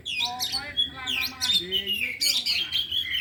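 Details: Oriental magpie-robins, four birds in afternoon practice, delivering isian song fills: rich run of rapid whistles, downward sweeps and buzzy chatters overlapping almost without pause, with a faint low rumble behind.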